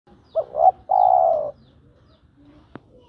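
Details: Spotted dove calling a female: two quick rising coos followed by one long, steady, slightly falling coo, then silence and a short click.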